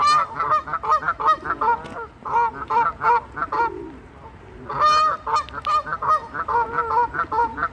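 A Canada goose gives loud, nasal honks in fast bursts of two to three a second, breaks off briefly, then starts again just as insistently.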